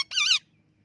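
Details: A green and a white rose-ringed parakeet fighting. One gives a single harsh, rasping squawk lasting under half a second, rich in overtones, followed by silence.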